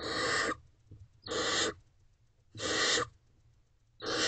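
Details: Barn owl young in a nest box at night, trying to position themselves against their mother. Four clean, even hissing screeches about half a second long, spaced roughly 1.3 seconds apart, little other noise.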